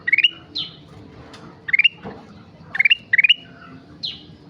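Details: Sooty-headed bulbul singing actively: clipped upward-stepping phrases of three or four rapid notes, given singly or in pairs, mixed with short downward chirps, with a quiet murmuring background.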